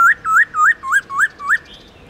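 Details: Six clear whistled notes from a black-throated laughingthrush (Garrulax chinensis), singing in the forest-voice long slurred style, come at a steady pace. Each note swoops upward, roughly four per second, with a soft tail at the end.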